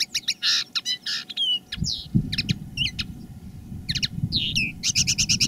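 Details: Common linnet kept as a decoy singing live: chattering twitters, slurred whistles and short buzzy phrases, ending in a quick even trill, over low rumbling noise.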